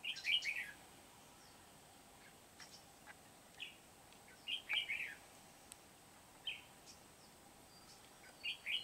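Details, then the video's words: Decoy red-whiskered bulbul at a trapping site in Kim Bôi, Vietnam, 8 September 2019, singing brief sweet whistled phrases every one to three seconds, each a quick jumble of rising and falling notes over steady faint hiss. "Bẫy chào mào Bổi Kim Bôi"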